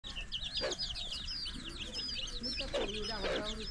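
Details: Mother hen feeding together with her chicks: a dense stream of thin, high peeping from the chicks runs throughout, broken by a few short, lower clucks from the hen near the start and twice toward the end.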